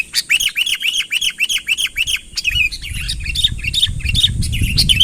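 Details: Sooty-headed bulbul calling to bring a rival nearer: a neat series of about nine arched whistled notes, evenly spaced, gives way to scattered chirps over louder low rumbling noise.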